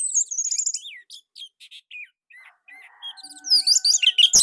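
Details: Orange-headed thrush song recorded in Indonesia, used as a master song. Fast high warbles and slurred whistles, a steady faint electronic tone in the middle, then a dense, loud jumble of high notes.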